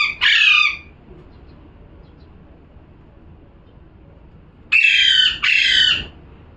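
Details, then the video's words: One harsh parrot squawk opens, then a long silence before a paired burst of loud raspy screeches near the end. "#parrot🦜🦜🥰 #calling sound"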